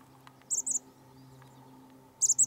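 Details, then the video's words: Douglas Island, Juneau, Alaska, March 19th 2020: a chestnut-backed chickadee gives two pairs of very high, slightly buzzy chips, then after a pause a fast run of four more, over a low steady hum. "Grey-headed Chirping Chickadees"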